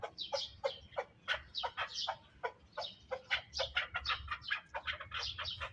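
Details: Chukar partridge from the Pamirs, singing: a fast run of harsh, clucking chuk notes, about three or four per second, repeated steadily over a low background rumble.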